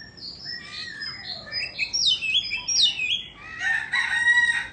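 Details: White-rumped shama from Indonesia singing while dancing with fanned tail; soft level whistles build into louder rising and falling slurred notes, ending in a sustained, buzzy, layered warble.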